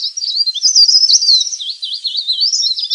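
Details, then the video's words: Leaf warbler calls for luring wild birds: a fast, high, warbling run of wavering, looping notes, steady and unbroken for three seconds. "suara pikat burung cikrak daun/ pare-pare ribut"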